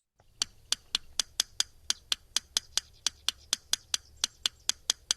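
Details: Yellow Rail, a rarely seen nocturnal bird of sedgy, grassy wetlands, giving dry, sharp ticks in quick clusters of two and three, like two stones tapping together, about four every second with brief pauses.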